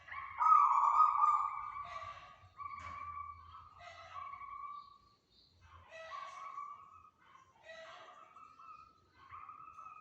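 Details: A local zebra dove sings actively on a lure recording, with a rapid run of short, mellow cooing notes, some rolling into brief trills. They come in phrases of a few seconds, separated by short gaps, over quiet surroundings.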